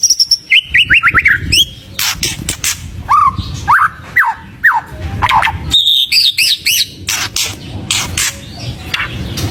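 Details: Energetic white-rumped shama song with a full set of fill phrases, meant to stir other birds into singing: a fast descending whistled series, separated slurred notes among sharp clicks, then a high warbled flourish.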